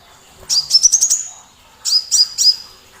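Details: Small, loud-voiced sunbird used as a provoking master song for other birds: a fast rising chatter of piercing high notes, then a pause and three sharp, down-slurred chips in quick succession.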